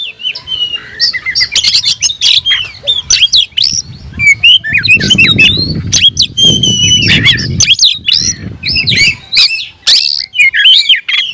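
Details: Caged oriental magpie-robin in vigorous song, tail open, stirring itself up against a rival; long stream of varied whistles and sharp notes, with a low rumbling background noise in the middle section.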